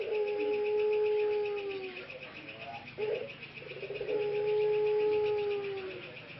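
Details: Hoarse-voiced male ringneck dove of the pelung type, caged in Karanganyar, Central Java, Indonesia, recovering its voice: two long, clear, level coos about two seconds each, separated by brief rough syllables, with steady cricket-like ticking throughout.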